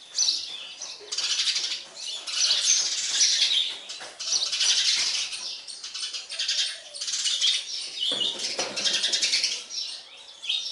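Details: Young sparrows beg while a parent feeds them. Scratchy high-pitched chatter arrives in surges, with soft wing flutters among the calls.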